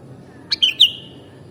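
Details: Kutilang (sooty-headed bulbul) on a mastering track: a sharp opening note, then two rich whistled slurs, the last one trailing off softly, forming one compact cheerful phrase.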